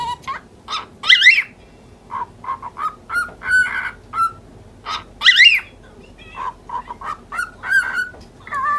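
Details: Ten-month-old lutino cockatiel kept as a pet, irritated by a persistent budgie, chatters in rapid speech-like bursts with cough-like throat clearing and two loud harsh rising squawks amid the nasal syllables.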